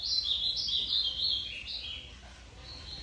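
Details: Ultramarine grosbeak delivering a fast series of clear whistled notes that tumble gradually lower, fading toward a soft closing whistle against quiet background.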